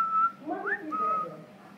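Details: A six-month-old pet African grey parrot gives a clear, level whistle, a quick rising slur, then another steady whistle, with low throaty, voice-like sounds underneath in a small room.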